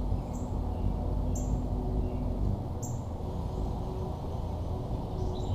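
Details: Hummingbird near a backyard feeder, captured on a GoPro Hero4 Black: sparse, sharp, very high chips about once a second, with a few fainter notes, over a constant low-pitched rumble.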